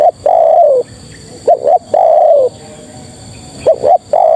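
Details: A female spotted dove calls to males with a long falling coo, then a short double coo and another long coo, the pattern starting again at the end; close and loud over faint hiss.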